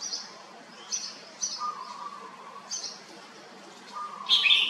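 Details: Caged red-whiskered bulbul giving short bright chirped notes spaced roughly half a second apart, with a lower steady tone heard twice and a louder harsh burst near the end.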